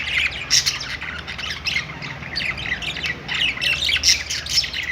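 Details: Budgerigars perched in a pet store giving rough squawks and sharp high chirps in quick succession, several birds overlapping in continuous chatter with loud peaks every second or so.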